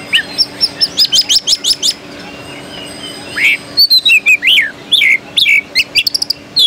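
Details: Oriental magpie-robin of the Pringgodani type singing at the Jakarta Cup 2015 contest: rapid bursts of sharp chips, then varied sweet whistles and twisting slurred notes delivered in quick succession, over a low steady hum.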